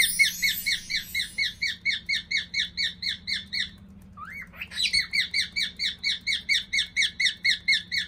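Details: Walking pet cockatiel, thought to be male, delivering its household 'march': rhythmic bright chirps, then a short break holding one rising whistle, after which the steady two-per-second chirping starts again.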